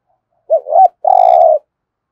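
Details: Spotted dove decoy bird, used to attract wild doves, giving one loud phrase: a hooked double coo, then a sustained, rough, even coo of about half a second.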